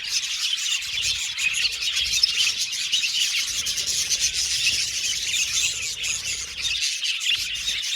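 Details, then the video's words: Budgie aviary colony with many birds at once: a busy, unbroken wash of high twittering and chirping, with short warbled notes rising out of the steady chatter. "Budgies singing and chirping sound"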